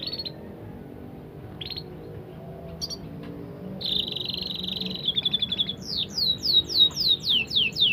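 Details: Canary song building from scattered short chips into a long buzzy trill, then a rhythmic run of loud, sweeping descending whistles repeated about four times a second, over a low hum.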